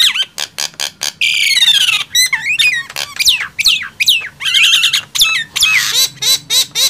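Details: Nias hill myna and black-winged myna in a loud singing contest: loud whistled notes that sweep up and down, mixed with harsh squawks and a long rasping call, in quick bursts.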